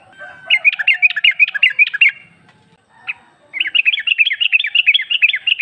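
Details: Female sooty-headed bulbul calling for the male, a lure recording to make a bulbul respond; a rapid rattle of clipped, bright notes, a lone chirp after a pause, then a longer, faster chattering series.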